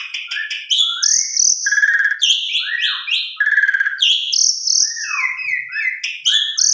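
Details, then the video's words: Continuous Javan pied starling song with rich fill-in material, meant as a lure to get other birds of its kind singing: a busy stream of clear whistles, rising and falling slurs and buzzy chatter, barely pausing. "Pancingan Suara Burung Jalak Suren MATERI Full Isian KOMPLIT Bisa Bikin Jalak Suren Lain Ikut Gacor"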